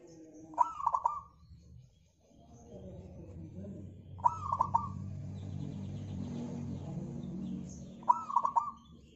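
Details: Local zebra dove song used as a lure to set other birds singing, three rolling cooed phrases several seconds apart, with a low rumbling background and faint chirps between them.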